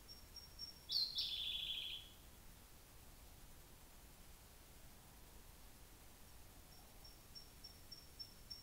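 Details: Siberian blue robin singing at Hocchi, Minami-Karuizawa, Japan, June afternoon: a brief high lead-in and a fast, descending rattled trill of about a second, followed by quiet and faint high ticking notes toward the end.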